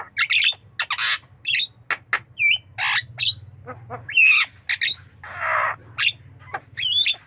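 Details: Javan myna (jalak kebo) kept as a pet: loud, harsh squawks and buzzy rasping bursts alternate with sharp whistled notes, some rising and falling, in quick irregular succession over a low steady hum.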